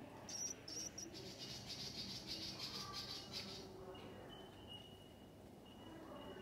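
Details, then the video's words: A nest of Willie wagtail nestlings being fed gives a burst of high, harsh, rapid begging calls for about three seconds, then a thin, steady whistled tone over a low background hum. "Willy wagtail babies feeding"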